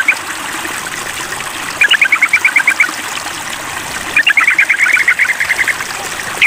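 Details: During a mental test, a sooty-headed bulbul calls to a rival with two long runs of fast, evenly spaced chattering notes, over a continuous trickling, hissing background.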